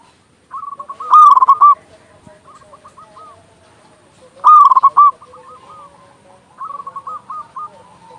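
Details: Loud-voiced local zebra dove, used to prompt doves to sing and lift their mood: two bursts of rapid, trilled coos, each trailing into softer hooked notes, with a third quieter coo series near the end.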